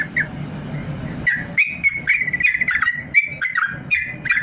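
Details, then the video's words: Yellow-vented bulbul ropel song for tutoring lazy caged birds; a low rumble fills the first second, then quick warbled and chattered notes burst out in rapid succession. "BURUNG TRUCUKAN ROPEL PANJANG||AMPUH UNTUK MASTERAN TRUCUKAN MALAS BUNYI"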